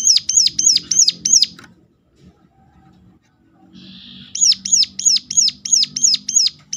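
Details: Sunda warbler giving a sharp call meant to lure other Sunda warblers into singing more: fast series of high, arched, whistled notes, about three per second, broken by a short quiet gap before the run resumes.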